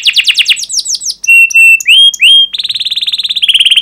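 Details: Canary singing to encourage other canaries: quick falling chirps, then clear sustained whistles and upslurred notes, ending in a fast, even rolling trill repeated many times per second.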